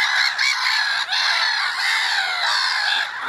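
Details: Gulls calling in early spring, a dense, unbroken din of overlapping nasal, wailing cries from a large flock, steady and loud throughout with a short dip after one second.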